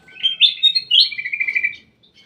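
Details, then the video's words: In a private aviary, a ruby-throated bulbul sings one loud, clear phrase of fast rising whistles flowing into a rolling, slightly descending trill, lasting under two seconds. "BURUNG KUTILANG EMAS DI DALAM AVIARY PRIBADI"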